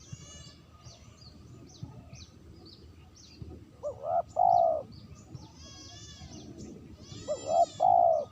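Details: Spotted dove recorded as a clean lure call: two loud two-part coos, each a short rising note then a longer steady one. Small birds chirp and twitter high above throughout.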